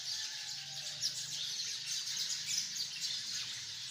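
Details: Hundreds of sparrows crowded in a tree keep up rapid, high-pitched chirping, countless short notes overlapping into a lively, uninterrupted din with a few brief louder peaks.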